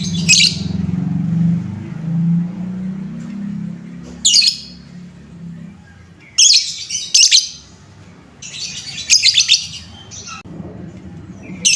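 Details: Lovebird provocation call for young birds in training, intended to stir them up: scattered harsh, high squeaky bursts, some doubled or clustered near the end, after an opening low rumbling hum.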